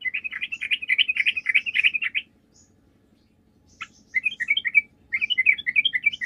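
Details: Sooty-headed bulbul singing to lure other bulbuls into answering: two-second stretches of rapid, bubbling chatter broken by a short pause, then resumed in quick bursts of tumbling notes.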